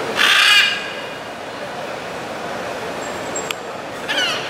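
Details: Blue-and-yellow macaws in Caracas's Los Palos Grandes neighbourhood, Venezuela, 21 July 2012, with one loud, raspy squawk near the start and a shorter harsh note at the end. Urban background noise runs steadily throughout.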